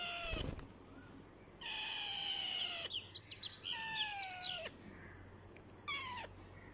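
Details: A rose-ringed parakeet kept as a talking parrot utters drawn, descending harmonic notes, overlaid with rapid high twittering in the middle and a short final note.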